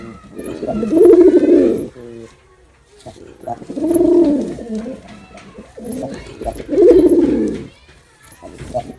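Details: Male pigeon performing, delivering three long, deep, rolling coos about every three seconds, each swelling and fading, with soft clicks and movement noise in between.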